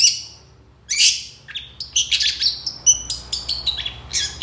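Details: Long-tailed shrike in lively 'tembakan' shooting song with 'isian' fill, meant as a tutor recording: a harsh opening note, a pause, then quick chattering notes and thin whistles.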